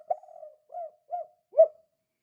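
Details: Calling spotted dove in kuk-kuk style, meant to lure other doves into calling: a single phrase of four low coos, a drawn-out first note, two softer notes and a louder, rounded final coo.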